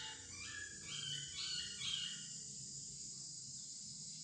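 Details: Laughingthrush kept as a decoy bird, released indoors for the first time and flying free in a house; a short run of clear whistled notes stepping up and down for about a second and a half, then steady background hiss.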